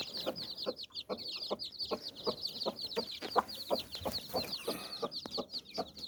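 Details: Low, muffled hen clucks repeat about twice per second as the hen calls her nine chicks under her wings; bright, rapid peeping from the chicks runs throughout.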